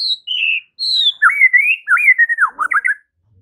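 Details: White-rumped shama in morning song that prompts rival birds to answer: a couple of sustained high whistles followed by a varied, rapid string of slurred and dipping notes.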